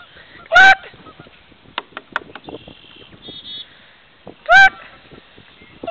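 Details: Geese in a marsh in early spring, March 9th 2010: two loud, brief harmonic honks, rising then falling, about four seconds apart. Scattered clicks and faint calls fill the gaps.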